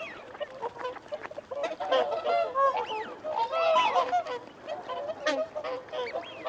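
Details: Crowded, rapid honking from feeding and territorial whooper swans, bugling notes tumbling over one another at a fast, uneven pace, a few thin wigeon whistles faintly above, mute swans in the mix.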